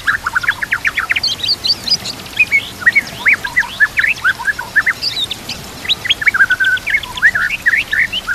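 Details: Murai batu, the white-rumped shama, on a master recording for training birds, with trickling water: bursts of quick, sharply modulated whistles and chips at mid to high pitch, in varied phrases with brief pauses.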